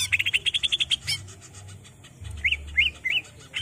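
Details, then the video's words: Greater green leafbird, rolling 'ngerol' song style, played to train untrained captive birds: a quick run of about eight bright, evenly repeated chirps, then a pause and three short rising-falling whistled notes over a low steady hum. "Suara buring Cucak ijo ngerol"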